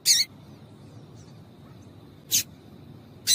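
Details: A female yellow-bellied seedeater gives brief harsh chip calls meant to excite males. Three isolated chips come roughly one to two seconds apart, with quiet gaps and a thin constant background tone.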